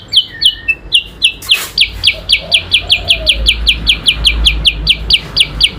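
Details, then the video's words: Yellow-eyed babbler (kutilang sutra) competing in adu kicau with an Oriental magpie-robin (kacer): after a short low whistle and a brief click, a long rapid train of sharp descending high chips, with faint softer whistles beneath. "kutilang sutra SUPER GACOR vs Kacer adu kicau"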